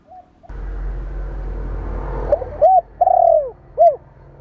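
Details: Spotted dove calling to excite and train decoy birds: a loud rumbling noise fades, then one cooing phrase follows: short hooked coos, a long sloping coo and a short closing note.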